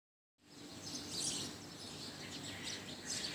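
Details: A budgerigar that flew into a tenth-floor office of a twelve-storey building near Shapla Chattar, Motijheel, around noon: soft, continuous high chattering and twittering notes after a silent start, with a low background hum.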